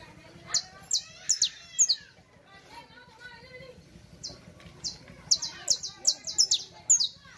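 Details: Saffron finch song used for teaching young birds: clusters of piercing, high, slightly descending chirps, a short lull with softer mid-pitched sounds, then a fast, uneven series of bright notes.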